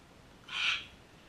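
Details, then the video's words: Sulphur-crested cockatoo in a backyard giving a single short, harsh, noisy squawk that swells and fades over under half a second against a quiet background. "backyard birds sulphur crested cockatoos"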